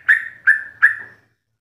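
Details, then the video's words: Yellow-vented bulbul, recorded as master song for captive birds, giving three short clear whistled notes, evenly spaced about every third of a second, with a faint low hum underneath. "Ropelan trucuk gacor full isian"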